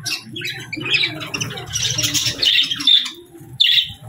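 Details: Budgerigars chirping in the morning, a jumble of squawky, rasping notes and short whistles. A last sharp burst comes near the end, over a low murmuring background.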